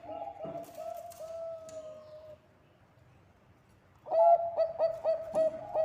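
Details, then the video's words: Zebra dove of Bangkok stock singing, used as a lure: warbling coos and a long even note, then a brief silence before a loud rush of quick, bubbling staccato coos. "Perkutut bangkok gacor suara ampuh untuk pancingan"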